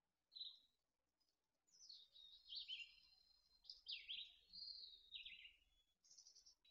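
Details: Mountain chickadee nestlings at Truckee, late June 2020, just before fledging: a quick run of high, varied chirps and down-slurred whistles with short buzzy notes, rising and falling, over a quiet background.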